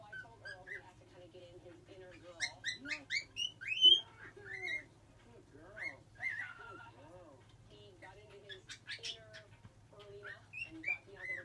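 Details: Cockatiel kept as a pet, learning to whistle, gives scattered rising whistled notes mixed with soft chattering and warbles, with irregular pauses between bursts.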